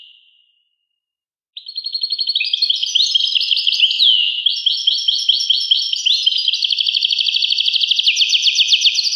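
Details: ['European goldfinch song begins after a silent stretch: a fast, tinkling twitter of high chirps and slurred whistles that becomes a rapid even trill in the last seconds.']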